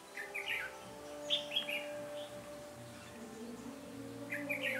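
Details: Red-whiskered bulbul recorded during a trapping session on 13 January 2017: short, bright warbled phrases of a few quick notes, delivered in separate bursts with pauses between, over a steady low droning hum.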